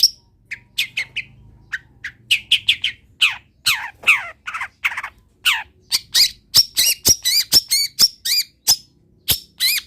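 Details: Long-tailed shrike singing a medley of imitated wild-bird phrases: harsh downslurred squawks early on, then a fast string of sharp high chips and wavering whistled notes.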